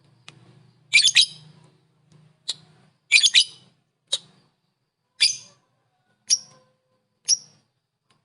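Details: Lovebird giving calls to rile up other lovebirds: loud clustered high squeaky chirps, then single sharp chips spaced about a second apart, with quiet background hum.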